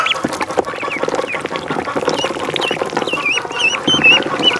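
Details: A duckling in the pond peeps in a quick string of high, wavy notes that become clearer near the end, over steady low background noise.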